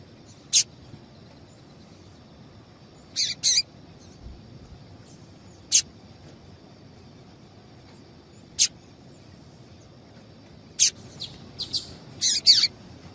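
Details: Female double-collared seedeater calls, used to get males singing: short, sharp high chirps spaced irregularly, single or in pairs, building to a quicker cluster of notes near the end over faint background noise.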